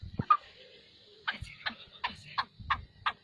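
A black francolin gives a run of harsh, grating notes, roughly three a second, after a couple of opening scrapes, over a faint low rumble.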